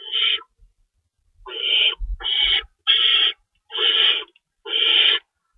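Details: Nighttime feeding at an owl nest at 3:53 AM, March 25, 2012, with two rabbits in store and an adult tearing prey; six raspy screeches, the later ones in quick succession, with soft thumping beneath.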